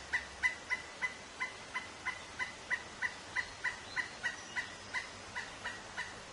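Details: A Pileated Woodpecker, landed in a tree beside the recordist near a baby red squirrel's nest cavity, gives a long, loud run of clear, evenly spaced kuk notes, about three per second, ringing and slightly laughing.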